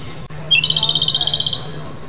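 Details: Japanese robin giving a sharp high note that runs straight into a fast, even trill of about a second, over a steady low hum.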